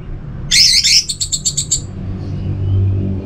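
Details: Orange-headed thrush, a caged bird kept at home in North Bali, Singaraja, singing in teler semi-doyong style: a scratchy high burst, then a quick run of about seven clipped, evenly spaced notes, over low traffic rumble.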